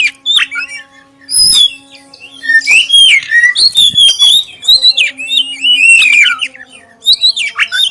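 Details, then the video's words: Clear black-breasted oriental magpie-robin song used as a lure to make other magpie-robins sing: slurred whistles and quick chips delivered in several dense phrases with brief gaps, over a faint steady electrical hum. "suara pancingan kacer dada hitam suara jernih"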